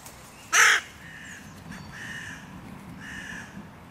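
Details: Crows at the hotly contested meeting point of three breeding pairs' territories by a park music pavilion; one loud harsh caw followed by softer, more distant caws answering twice.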